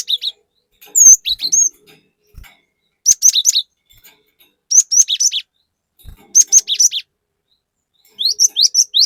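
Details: Cinereous tit in varied, rapid-fire song, used to provoke other tits. Crisp phrases of four or five rising and falling whistled notes repeat about every one and a half seconds through the whole stretch.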